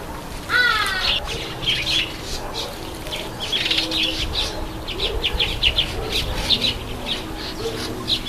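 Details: Red-headed finch (red-headed amadina) taking a bath: a falling, buzzy note followed by a scatter of short, high chirps at an uneven pace, with splashing and wing-flutters throughout.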